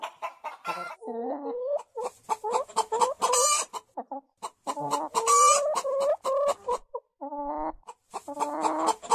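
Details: Hen clucking and cackling: repeated nasal, buzzy clucks with drawn-out wavering notes, rising into louder bursts around the middle, steady through the recording with short pauses between phrases.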